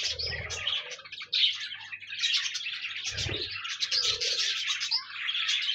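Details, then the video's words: Warbling chatter of pet budgies played to get a lonely budgie singing: fast squeaky twitters and buzzy notes run on continuously, joined by a few low soft hoots and a dull thump near the middle. "No more lonely budgies. Pet parakeets encourage your bird to sing"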